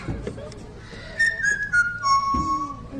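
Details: A talking parrot named Fernando (Nando) at a bird show at African Lion Safari, Hamilton, Canada, whistles one of his original tunes: a clear, tuneful phrase of pure notes that slide downward and hold steady.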